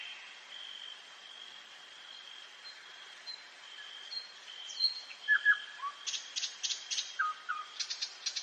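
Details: Common nightingale singing at night in a forest: a long thin sustained whistle, then sharp rising and falling notes and a rapid series of loud clicking strokes toward the end, over steady hiss.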